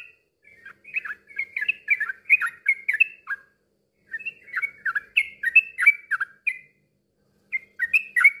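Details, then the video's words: Yellow-vented bulbul singing, meant to coax quiet bulbuls into rapid song: two long bursts of warbling, gurgling phrases with short breaks, and a brief restart at the end. "kicau suara trucuk bikin gak tenang ini juaranya terapi burung trucukan macet bunyi agar ikut ropel"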